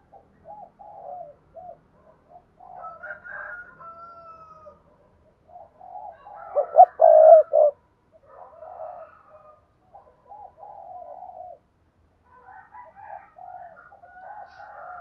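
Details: Spotted dove coo sequence to get other doves calling: scattered soft coos throughout, with one loud phrase in the middle of clipped notes and a long held coo, and faint higher calls now and then.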